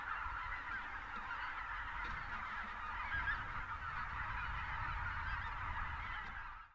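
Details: Greater white-fronted goose flock of thousands in South Texas winter, south of Uvalde, pelicans taking off among it; constant clamour of honks that cuts off abruptly at the end.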